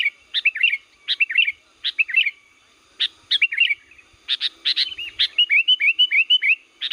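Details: Liwa Sooty-headed bulbul in full lure-call song: short groups of sharp chirps with rolling slurred notes, separated by brief pauses, ending in a long fast series of clipped bright notes.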